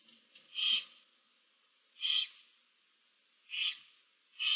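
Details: Barn owl owlets in a nest box with their mother, seven young, mid-March 2024: harsh breathy hissing screeches repeated roughly every one and a half seconds, each lasting about a third of a second.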